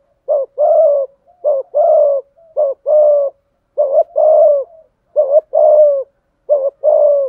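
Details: Spotted dove singing the complete 'giọng thổ' song, 'thúc gù': repeated couplets of mellow coos, a short clipped note then a longer falling one, about six pairs in even succession.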